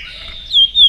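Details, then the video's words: White-rumped shama in morning song practice, a brief pair of clear whistled notes, the second slightly higher and held, over a quiet low hum. "chòe lửa hót sáng luyện giọng chòe lửa hót"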